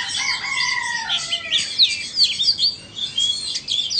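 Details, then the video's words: Vietnamese and Indonesian Oriental magpie-robins competing in song: it opens with long, smooth, slowly falling whistles, then breaks into rapid high twittering and sharp slurred notes. "Chòe than VN đấu với Chòe Than Indo"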